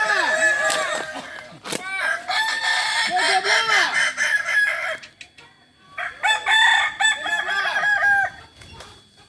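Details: Kokok Balenggek roosters in a joint training session for crowing, Ampang Kualo, Solok City, West Sumatra: long, stepped crows of many quavering rising-and-falling notes that overlap, with a short pause mid-clip before crowing resumes.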